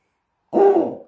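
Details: Snowy owl, likely male, gives a single low, hoarse hoot lasting about half a second, fading at the end after a moment of silence; his throat patch fills up before he hoots.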